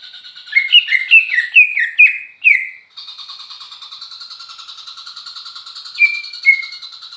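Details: Greater green leafbird song opening with a quick run of about seven bright, downward-slurred whistled notes over two seconds, then a long buzzy rattling trill with two short falling whistles near the end.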